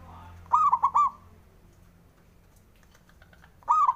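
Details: Male local zebra dove singing to provoke rivals into answering: one phrase of three or four mellow, rolling cooing notes, with a second phrase starting at the end over faint background hum.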